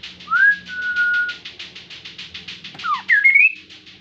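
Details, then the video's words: Kaso-kaso bird, an insect eater, singing hard as a lure for other birds: upslurred whistle held level, a quick dip, then rising twisted notes, all over a steady run of rapid buzzy pulses about six per second. "KASO KASO GACOR COCOK UNTUK PANCINGAN BIAR IKUTAN GACOR JUGA"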